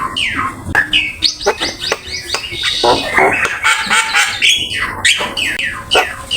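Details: Black-winged myna singing a full, varied master song for training: harsh rasping notes mixed with sliding whistles and sharp clicks, dense and continuous, with loud broadband noise throughout.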